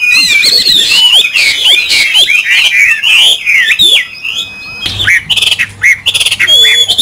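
A Chinese hwamei sings a rich, rapid stream of loud, swooping whistles and slurred phrases, barely pausing, with a faint buzz of background noise.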